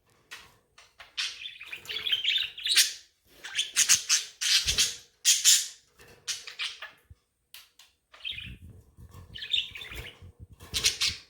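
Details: Several pet budgerigars chirping to one another indoors, a lively run of bright, buzzy warbles and short tweets in bursts with brief pauses between them.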